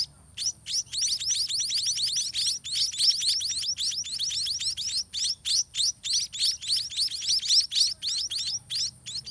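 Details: Chorus of nestling white-rumped munias begging at feeding time as a parent regurgitates food; a continuous, fast stream of thin high chirps, about three to four per second, pulsing in short bursts for over nine seconds.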